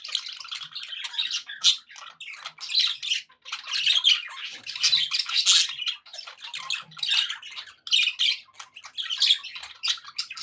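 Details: Happy pet budgerigars chattering in a flock: dense, scratchy warbling with quick squawks and chirps, bursts rising and falling without pause, mostly high-pitched, indoors.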